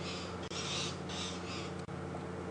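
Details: Magpie shrikes (long-tailed shrikes) perched in bushes above a male leopard give harsh, scratchy alarm calls in three quick bursts, announcing the leopard, on a morning game drive at Djuma Game Reserve, South Africa, March 27, 2015, over an idling engine.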